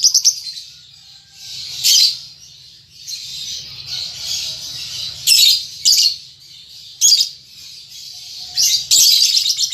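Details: Young lovebird practicing its chatter, with continuous buzzy high rasping broken by loud harsh squawk bursts, several in quick pairs, over a faint low hum.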